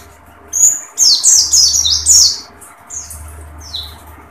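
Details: Oriental white-eye of the dakun type, beak open, giving a brief tembakan burst: a run of loud, scratchy high notes in the first two seconds, followed by a few softer, thin whistles.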